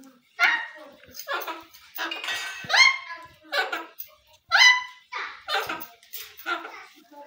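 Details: Rose-ringed parakeet talking, mimicking the phrases "mitthu miya", "mitthu betaa" and "mitthu oyeeee": short, harsh, voice-like syllables with bright nasal overtones, delivered in clipped bursts roughly once per second with brief pauses between.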